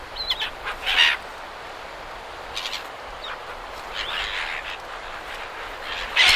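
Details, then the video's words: Several silver gulls in Perth, Australia, close up, give harsh, squealing calls in short bursts, some overlapping, over a steady wash of surf in the background. "Silver Gull. MCU Calls From Several. Surf In B/G."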